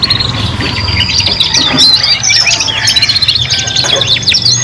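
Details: Young canaries, three birds together, practising song: bright warbled phrases with quick rising and falling whistles and fast chirps layered over one another, plus a steady low hum underneath.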